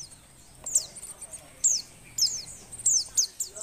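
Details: Female Oriental white-eye in breeding condition calling to stir lazy males into song: thin, high whistled notes sliding steeply downward, spaced irregularly, with short chattering bursts between them over a quiet background.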